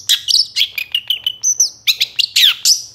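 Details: Energetic song of a moulting long-tailed shrike, used as a lure for other shrikes: a fast varied medley of high chirps, sweeping whistles and a sustained thin whistled note, with hardly any gaps.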